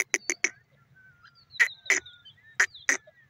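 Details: Grey francolin, or teetar, calling: short bursts of two or three harsh, explosive clicking notes in quick succession, with thin whistled notes between the bursts.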